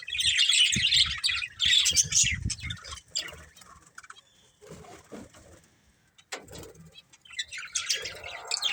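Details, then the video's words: Budgerigar breeding pair, kept as pets, chattering in dense high scratchy warbles for three seconds, then quieter scattered chirps and soft clicks with pauses between. "Beautiful Budgies Chirping Sounds"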